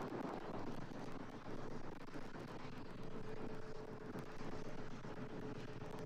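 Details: A steady low engine rumble with wind buffeting the microphone throughout, and no animal calls.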